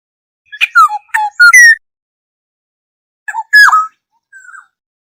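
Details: Black-hooded oriole calling the flock, as a lure: a quick string of short, harsh, rising-and-falling notes, a pause, then a loud falling squawk and a soft trailing note.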